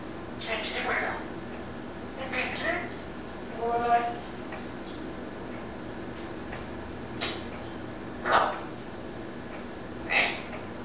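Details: Quebec parrot talking in French, announcing it will make a big poop, in short, nasal, speech-like bursts, about six phrases spaced a second or two apart, in a quiet room.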